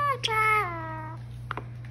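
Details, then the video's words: A common myna "beatboxing": a drawn-out, nasal, falling note rich in overtones, then two quick percussive clicks, over a steady electrical hum. "BEATBOXING LILLY MYNA/Common Myna"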